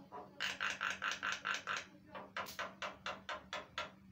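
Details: Javan myna (Acridotheres javanicus), a vigorously singing bird used to lure other mynas, giving a rapid run of harsh, rasping notes, about four a second, some higher and brighter, over a faint steady low hum.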